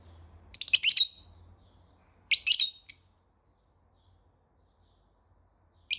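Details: Pet lovebird calling in the morning: a burst of sharp, high chirps, then a short pair of bright notes and a single whistled note a few seconds later, in a quiet room with faint low hum.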